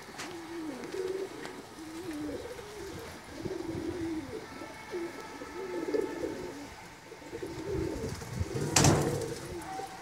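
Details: Several home-kept pigeons cooing steadily, deep bubbling phrases that rise and dip and overlap one another throughout, with a sharp clap of noise near the end and faint background hum.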